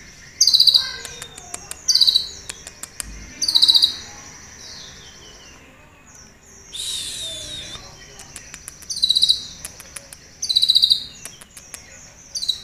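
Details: Captive sunbird singing with mimicked cililin notes, giving high, thin, sharp chittering bursts roughly every one and a half seconds, with a brief hiss of noise midway.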